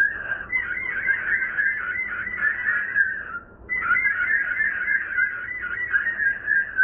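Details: Three pearly-eyed thrasher chicks begging while a parent feeds them: a continuous, wavering, whistled and trilling chorus, broken by a brief pause near the middle.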